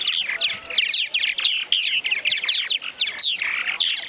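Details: Many Purple Martins chattering at a large backyard colony in Finger, Tennessee: quick, throaty, gurgling chirps overlapping in a continuous busy chorus.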